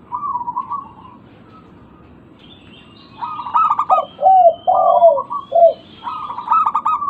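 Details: Local zebra dove lure sound to get quiet birds calling: a faint opening phrase, a pause, then busy overlapping coos mixing high rapid stutters with lower sliding notes, and a thin high tone.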